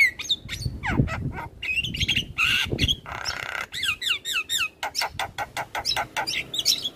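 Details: Vigorously singing Javan myna, used as therapy audio for stressed or silent birds; it gives scratchy squawks and bright wavering whistles, then a fast run of clipped chattering notes.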